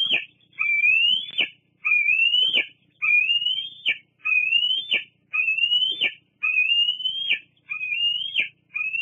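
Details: Bald eagle at Fraser Point, 8 August 2022, squeeing continually while shifting position beside its mother. Seven shrill, rising whistled squeals follow one another about every second, each ending in a sharp snap.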